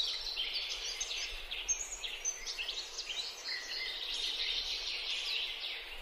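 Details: White-eared sibias in Bogor give a steady stream of high, overlapping chirps and short chattering notes, with a faint hiss of background noise.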